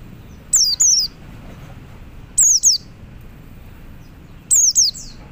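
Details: Oriental white-eye male calling other white-eyes: three doubled high, downslurred whistles repeated roughly every two seconds, each pair crisp and clear above a faint hum.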